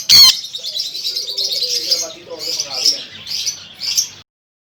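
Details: Sun conure opening with one sharp, piercing screech, followed by a run of scratchy, warbling chatter in several short bursts before falling silent.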